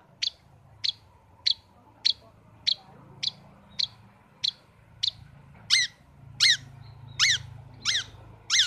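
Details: Caged pet long-tailed shrike: steady sharp chips about every half second, then shifting to louder, harsher buzzy notes with falling strokes, over low background hum.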